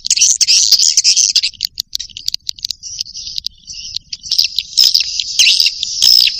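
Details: High, rasping twitters from young swiftlets come in irregular bursts of chirps, fading briefly in the middle and then building again into a dense chatter.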